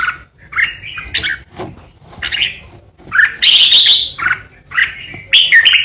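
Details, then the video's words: Decoy red-whiskered bulbul in ché song: jerky warbled phrases and sharp notes, a long scratchy chattering outburst midway, then more bright whistled phrases and a final rasp. "Chào mào mồi hót ché đỉnh | Red-whiskered Bulbul | นกปรอดหัวโขน"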